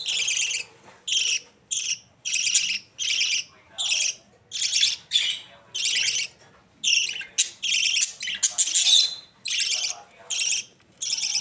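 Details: Pakistan, budgerigar chicks: a long series of quick hoarse rasping calls, short and closely spaced, with some thin whistled notes slipped between them.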